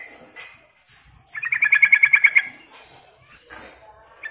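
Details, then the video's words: Sooty-headed bulbul calling to draw in other birds: faint chirps, then a quick run of about ten loud, clear chattering notes, and softer chirps after. "suara Panggilan Trucukan Gacor ini Bikin Nyaut dan Gacor"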